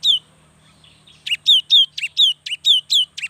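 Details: Young cinereous tit singing hard, played to get other tits to sing. One note, a pause, then a brisk run of chip-and-descending-whistle pairs delivered quickly and insistently.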